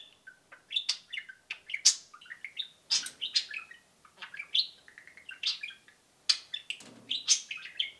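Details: Two pet budgerigars (parakeets) kept indoors in cages, peeping and cheeping: a busy, continuous stream of short high chirps, squeaky rising and falling notes and warbled twitters, overlapping almost without pause.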